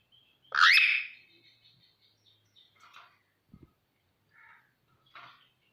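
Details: Caged rose-ringed parakeet at play gives one loud, harsh screech that rises sharply, then a few soft, scratchy chatter notes and faint clicks spaced over several seconds in otherwise quiet surroundings.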